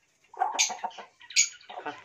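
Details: A pet hill myna in India mimics human speech while its owner prompts it in Hindi to say "khana do" (give food): two hoarse, speech-like phrases about a second each, with sharp hissing consonants.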